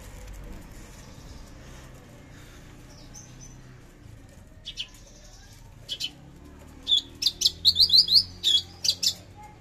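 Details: Javan bush lark, branjangan javanica, 13 December 2022, trotol and tembakan style: quiet at first with a few isolated clicks, then a quick string of short, high, sharply sweeping notes near the end.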